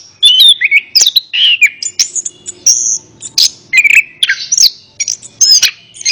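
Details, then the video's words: Orange-headed thrush song for training a bird reluctant to sing: rich, varied phrases mixing fluty whistles, rising and falling slurs and sharp chips, delivered continuously. "Terapi Burung Anis Kembang | Atasi Burung Anis Kembang Malas Bunyi Ikut Nyaut"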